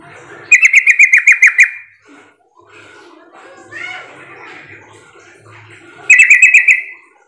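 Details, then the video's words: Sooty-headed bulbul calling to lure other birds into answering: a quick burst of about eight bright, bubbly notes, a quieter stretch of softer chatter, then another rapid bubbly burst at the end. "Pancingan trucukan agar bunyi sahut sahutan"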